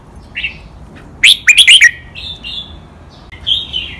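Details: Red-whiskered bulbul, a caged bird recorded for training others, singing doubled counted phrases in 'mae bot' and 'lak wai' style: a soft note, a quick burst of five loud chopped whistles, then gentle drawn-out whistles.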